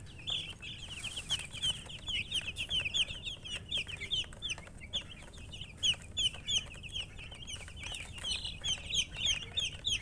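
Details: Many chicken chicks chirp nonstop for ten seconds, a dense band of shrill, downward-flicking peeps repeated several times a second, with faint low background hum.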